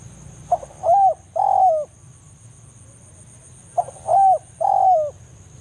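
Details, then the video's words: Spotted dove in forest giving the BANGGO lure call to summon a rival: two three-note phrases, each a short grunt then two longer descending coos, with a steady thin high hum behind. "cara pikat BANGGO full memanggil lawan di hutan"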